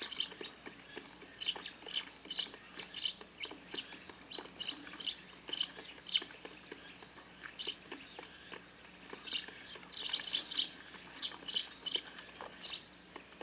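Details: A noisy flock of Eurasian tree sparrows pecks at food on a garden grape-trellis feeder in the countryside. Steady, irregular high chirps from several birds continue throughout, peaking in busy bursts near the end.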